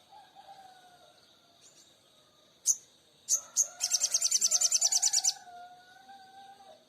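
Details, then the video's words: Oriental magpie-robin singing actively: a few sharp, high single notes, then a fast, even trill of about a dozen bright, piercing notes lasting over a second. A faint lower steady hum runs underneath. "SOGON GACOR"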